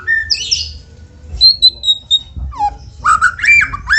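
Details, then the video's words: White-rumped shama song used to prompt other shamas into singing: a short burst, then a run of clear high whistled notes, a falling slur and a quick series of varied chirps, over low background hum. "PANCINGAN MURAI BATU MEDIA RJB untuk burung murai batu AGAR CEPAT GACOR"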